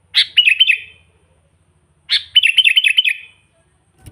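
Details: Sooty-headed bulbul song used as bait for wild bulbuls: two phrases, each opening with a sharp note followed by a string of fast repeated chirps, separated by a quiet gap.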